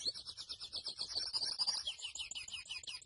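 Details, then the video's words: Grey seedeater, locally mochuelo, singing a fast string of high, evenly spaced chirps that merge into a rapid trill and continue as twittering phrases. "MOCHUELO AVE Y SU CANTO HERMOSO (SPOROPHILA INTERMEDIA)"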